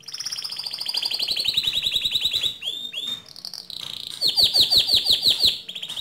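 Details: Canary singing to provoke another canary: a long fast trill holds at one pitch, then two slurred descending notes and a brief pause, followed by a bright, pulsing high trill and a final rattle.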